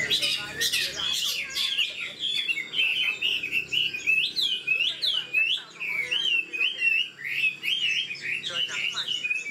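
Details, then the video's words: Chinese hwamei, old and wild-caught, singing at high speed: harsh buzzy bursts at first, then a brisk chain of clear, rising and falling whistles in short rhythmic pulses. "Họa mi già rừng chất giọng cực hay. tốc độ mỏ nhanh"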